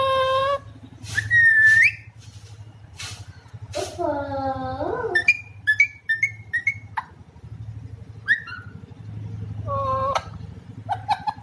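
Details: Pet Alexandrine parakeet, a talking parrot, giving a mix of rising whistles, harsh nasal squawks with falling harmonics, and short clipped chirps in quick succession, with faint background noise indoors.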